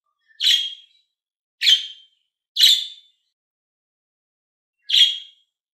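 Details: Pet budgerigars in green and blue calling with three quick, rough chirps close together, then silence for about two seconds before a final chirp.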